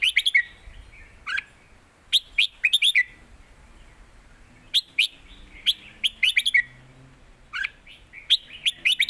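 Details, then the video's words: Red-whiskered bulbuls kept in cages trade songs in a phrase-for-phrase contest in the southern Thai master style; clusters of quick sharp whistled notes separated by short pauses, alternating singers, faint low hum behind. "ดอกต่อดอก นกเสียงทองดวลเพลงกัน(เพลงใต้แม่บท)"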